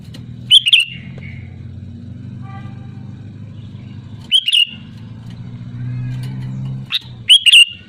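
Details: Sooty-headed bulbul giving loud song as a lure for other bulbuls: three short, bubbly whistled bursts at the start, middle and end, with a low engine-like drone and faint thin tones between them.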